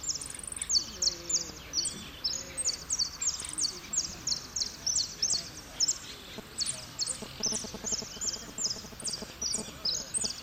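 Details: Saffron finch singing in a contest at Merlo, 03/01/2016, placed third, in the 'blanco de repique' style: rapid, bright, high chirped phrases repeated in steady bursts, with faint voices underneath.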